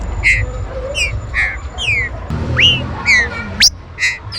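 A green-winged saltator sings loud, clear whistled notes, about two per second, some slurred down and others sweeping up, over a low background rumble.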